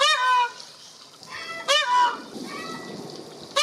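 A peacock gives loud, nasal, wailing calls with a bent, falling tone, three strong cries in under four seconds, with fainter answering calls between them.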